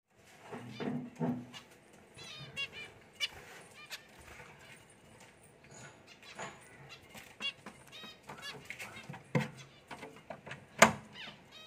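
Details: A newly paired couple of zebra finches give short nasal, toy-trumpet beeps in scattered bursts, with some sharper clicks and a low rumble early on.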